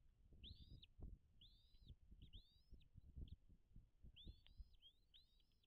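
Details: High whistled chirps from a wild bald eagle at its nest on Dale Hollow Lake, Kentucky-Tennessee border, taken from a nest camera. The short, arched, squealing notes come in quick bursts over a steady low rumble of wind and knocking.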